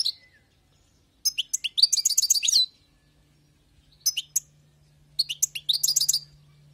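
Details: Wild-caught European goldfinch singing: three phrases of rapid, liquid, high-pitched twittering notes, each lasting about a second, separated by short silences, with a faint steady low hum underneath.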